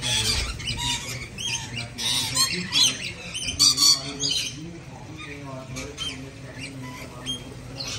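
Scarlet macaw chicks give harsh, raspy squawks in repeated bursts, some longer and wavering, with quiet human speech underneath.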